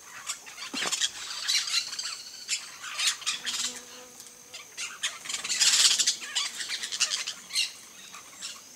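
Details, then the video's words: Yellow-chevroned parakeets (Brotogeris chiriri) on a coconut palm, giving scattered shrill, harsh squawks and chirps in irregular bursts, with louder overlapping chatter near the end, suggesting several birds calling. "PERIQUITO-DE ENCONTRO AMARELO (BROTOGERIS CHIRIRI), YELLOW-CHEVRONED PARAKEET, No coco da Bahia."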